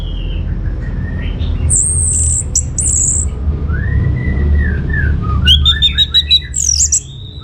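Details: Orange-headed thrush singing in full voice, played so other birds answer: scattered high thin whistles, a long arching whistled slur in the middle, then a burst of quick sharp chips near the end over a steady low hum.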